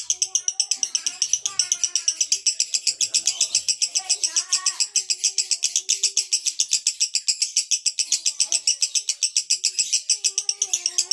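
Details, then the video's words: Male lovebird in konslet song, pouring out continuous shrill, squeaky chatter at a steady rapid pace for over ten seconds while people talk quietly in the background. "Love Bird jantan Konslet"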